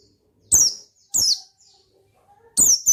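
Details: Oriental white-eye gacor ngalas song: three loud, shrill descending slurs spaced about a second apart, the last followed closely by a short clipped note.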